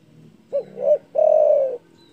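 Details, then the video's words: Spotted dove giving a loud, big-voiced call said to provoke rivals: two short low hooting notes, then one long, steady, slightly falling coo. Otherwise quiet. "DERKUKU GACOR DOR SUARA BESAR MEMBUAT EMOSI LAWAN"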